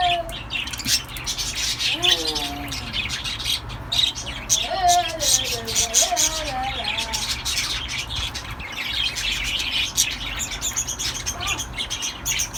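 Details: A cockatiel eating cooked rice gives soft, wavering chirps and chatter among scratchy, crackling noises.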